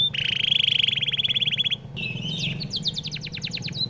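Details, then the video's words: Canary song offered as a model for training White-rumped Shamas: a fast, even trill of rapid repeated notes lasting nearly two seconds, then a varied phrase of sharp rising and falling notes, over a low steady hum. "Suara burung kenari cocok untuk masteran murai batu"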